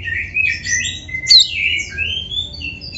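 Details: White-rumped shama song used for training caged birds: sliding, overlapping whistles, mostly steady or gently bending in pitch, with one sharp high accent near the middle.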